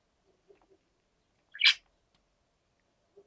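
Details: A rook on a rooftop antenna lets out one harsh, broad, noisy caw of about a quarter second, framed by a few soft clicks and taps before and after.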